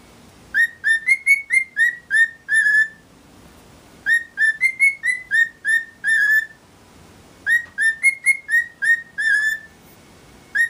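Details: Two pet cockatiels whistling to each other while getting along: a clear, repeated tune of about eight bright notes, each phrase returning every few seconds; one bird is very excited to see the other.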